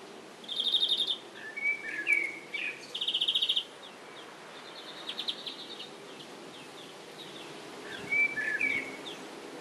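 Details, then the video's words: A European greenfinch, buffeted by strong wind, sings two high, rapid buzzy trills of about half a second each, mixed with brief twittering, over low background hiss. "Grünfink trällert"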